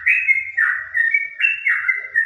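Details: Sooty-headed bulbul singing around 11 a.m. on an overcast, cool day, answered by another bird behind: a rich, continuous warbling song of slurred mid-pitched whistles, rising and dipping in quick phrases, over faint low rumble.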